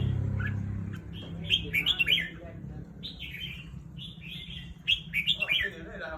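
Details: Caged red-whiskered bulbul, a contest bird, singing at dusk: rapid strings of sweet, bouncing whistled notes in groups of three to five, rising and falling, over constant low background noise.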